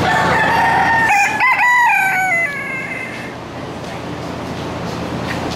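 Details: Rooster crowing at a county fair: one long harmonic cock-a-doodle-doo lasting about two and a half seconds, held level, then lifting briefly and sliding down at the end, followed by a steady hum of background crowd and machinery noise.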